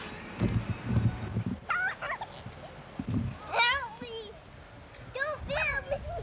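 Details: Kali, a female yellow-backed chattering lory kept as a pet, gives three nasal, wavering calls, rising and falling, about every one and a half seconds, with low murmuring and handling noises between them; recorded about 30 years ago.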